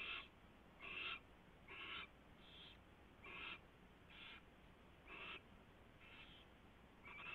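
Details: Owl at its nest during a mouse delivery and feeding, recorded at 4:21 AM on 24 February 2016: harsh, raspy hissing bursts repeat roughly once a second over a steady low hum.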